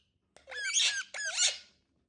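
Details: Indian ringneck parrot making two drawn-out, hoarse, voice-like squawks of similar shape, perhaps talking, with faint indoor room noise beneath.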